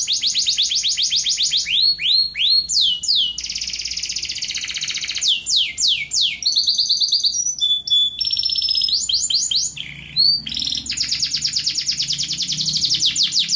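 A canary sings a long, loud song of rapid trills, rolling chops and sweeping whistled notes, switching between phrases every second or so.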